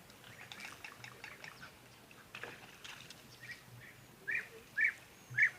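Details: European bee-eater calling at a waterhole during a live broadcast on 31 January 2024: three short rolling calls near the end, evenly spaced about half a second apart, after fainter chatter and a low hum, over soft trickling water.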